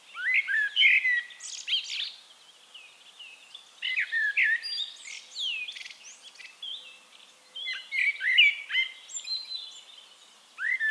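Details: Eurasian blackbird song in Castricum, the Netherlands, runs as a series of rich warbled phrases with fluty notes and squeaky high endings, repeated every few seconds over faint background hiss.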